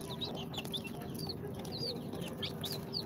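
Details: Newly hatched chicks, on day 2 out of the incubator, a mix of Sultan, Golden Sebright, Cochin and booted breeds, making thin high peeps that slide downward, scattered irregularly over a steady low hum.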